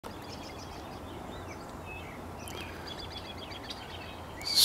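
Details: Cedar Waxwings on Crystal Ave, Tuesday 21 March 2017, give faint, very high, thin lisping notes, scattered through steady outdoor background noise, with a brief loud rustle at the end.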